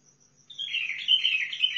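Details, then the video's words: Sihani bulbul from Al-Faw, Basra, gives a brief bright warbled phrase of quick rising and falling whistled notes after half a second of quiet, with a faint low hum behind. "طيارات بلبل سيحاني بلابل الفاو بلبل البصره روعه"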